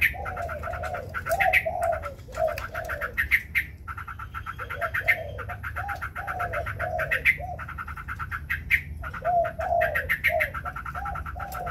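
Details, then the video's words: Competitive song of a white Chinese hwamei spreading its wings: long runs of fast, clipped repeated notes alternating with deeper, rounded warbling phrases, some brief pauses between bursts. "Hoành hoạch trắng hót đấu xòa cánh.."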